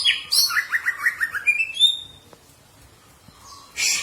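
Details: Caged green leafbird song used for training: quick run of rhythmic chirps stepping down, then a high whistled note, a pause, and a final harsh burst.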